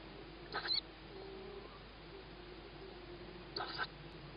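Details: Tawny owlet hearing its mother at feeding time, on the evening of 21 May 2017 at 21:38; two short, harsh hissing shrieks about three seconds apart over a quiet, faint background hum.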